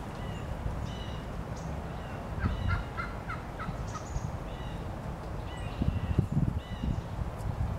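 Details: Male wild turkeys displaying to females at Lynde Shores, Whitby, Ontario, on March 30, 2018: deep, low rumbling pulses with a few faint, higher calls scattered through, over a steady low background hum.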